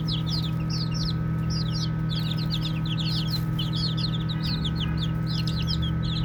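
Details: Loud, clear peeping from baby chicks at play, with bright downward-sweeping chirps coming in rapid clusters from several birds at once over a steady low drone.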